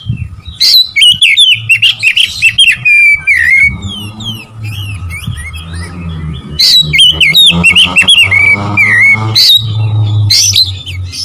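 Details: Oriental magpie-robin song used to provoke rival birds. Lively sequences of sharp chirps and slurred whistles are repeated in bursts over a steady low rumble.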